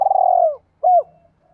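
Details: Spotted dove coo used to spur fresh-caught captive doves to answer: one drawn-out trembling note sagging in pitch, then a single bright, arched coo.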